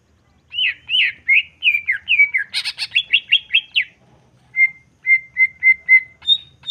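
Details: Greater green leafbird in jamtrok song meant to provoke emotion. Warbled slurs lead into a harsh buzzy rattle, then after a brief silence five flat, evenly spaced whistles and a higher closing note.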